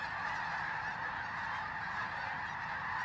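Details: In freezing pre-dawn cold at Bosque del Apache, New Mexico, thousands of arriving snow geese join a resting flock before the final flyout. Countless overlapping calls form a thick, even roar, recorded on a handheld phone.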